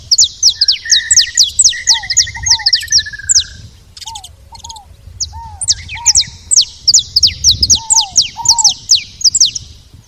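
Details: Saffron finches at a feeder produce a busy stream of high, downward-sweeping chirps. Early on comes a rapid mid-pitched trill, and soft lower slurred notes recur in between.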